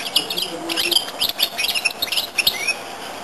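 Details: Goldfinch-canary hybrid giving a short burst of quick twittering song, tumbling high notes ending in a thin rising whistle, with a low hum behind.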